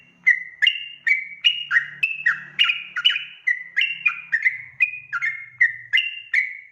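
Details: Sooty-headed bulbul song used as a lure to make wild bulbuls answer, a lively run of short bubbly warbled notes repeated about every third of a second, rising and falling, with a faint low hum in the background.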